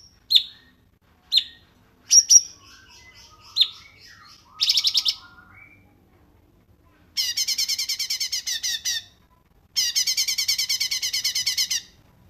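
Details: Cungkok songbird, recorded as a tutor song for training other songbirds, gives a few sharp high chirps, then two dense, rapid chattering trills about two seconds each, separated by a short pause.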